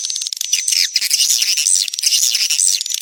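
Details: Swiftlet courtship sound, 'birahi lintas senja' type from 2023, played to lure swiftlets: a continuous busy twittering of rasping high chirps with frequent short breaks and overlapping callers.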